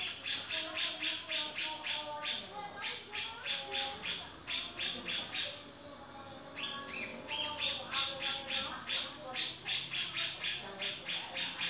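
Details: Long rapid chatter from a male grey-cheeked bulbul: harsh, buzzy notes at about three or four a second in several runs broken by short gaps, with soft lower whistles beneath.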